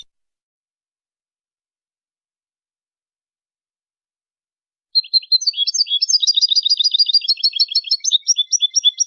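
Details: European goldfinch song for training, high-quality recording: after several seconds of silence, a fast run of tinkling twittered notes begins, repeated quickly and rhythmically, around two per second, continuing to the end.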